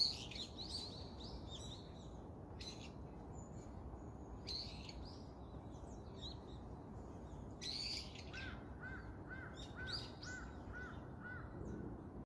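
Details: Chattering birds giving scattered high chirps and buzzy bursts, then a series of short, evenly spaced mid-pitched notes repeated about twice a second, over a constant low hiss.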